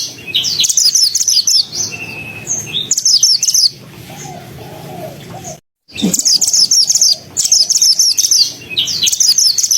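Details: Pied bushchat singing loudly and continuously, intended as training song for white-rumped shamas: repeated bursts of high, rapid, scratchy chirps and brief whistles, a quieter stretch midway with a sudden cut, then dense chattering resumes.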